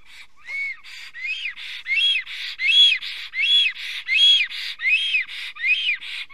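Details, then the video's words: A male black stork in Estonia at 8:02 am on 10 April 2020, singing at the nest with a branch in his beak after seeing someone above it: wheezy, rising-then-falling whistles about every half second, growing louder. "Must-toonekurg~Karl II sings with a branch in his beak"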